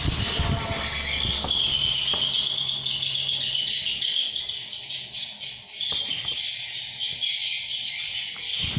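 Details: Swiftlets in a swiftlet house about seven months old keep up a dense, steady chatter of high, buzzy chirps and twitters with no breaks, over a faint low hum.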